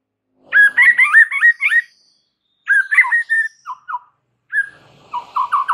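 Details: White-rumped shama in full varied song, played to lure stalled, stressed birds into singing: rapid twisting whistled phrases in bursts, some lower slurred notes, and a closing series of rising chirps.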